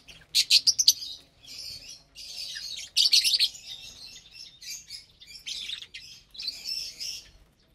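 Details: Saturday morning feeding of lovebirds, April 30th, 2022, on vegetables and whole grains: a quick volley of sharp, high chirps, followed by softer squeaky twitters and chattering phrases that fade toward the end.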